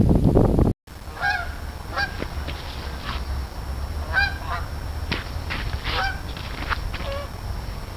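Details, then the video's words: Geese in a group call with clear, harsh honks roughly once a second, some doubled, after a brief burst of low noise and a short silence. "Geese Goings On"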